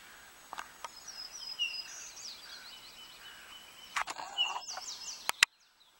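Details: An American robin in Loup Loup Campground, Eastern Washington, gives an odd call mimicking a Townsend's Solitaire call note: thin, high notes and short slurred whistles, some held briefly, with a few sharp clicks before falling silent.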